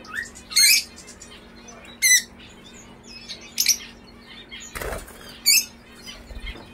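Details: Captive lovebirds, Fischer's and peach-faced kinds mentioned, giving loud shrill squawks and chirps spaced irregularly a second or more apart, with a burst of wing flapping partway through and a low steady hum throughout.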